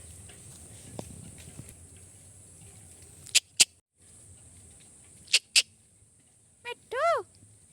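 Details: Parrot calling: sharp clicks followed by one harmonic, wavering squawk near the end, with quiet room hum between calls.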